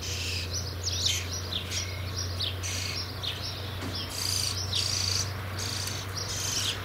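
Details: Fledging-age common starling chicks producing rapid scratchy chirps that merge into longer hissing rasps with a thin whistled note, over a steady low electrical hum.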